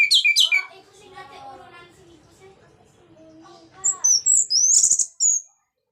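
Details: Orange-headed thrush singing to stimulate other thrushes, in ngeplong style. Loud high notes open, lower harsh stacked sounds follow, and a bright run of high whistles and chips closes.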